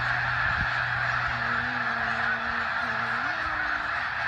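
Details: Snow goose flock on spring migration, Westham Island, British Columbia, March 24, 2015: constant hoarse honking chorus, with a person's voice speaking briefly over it and a low steady hum.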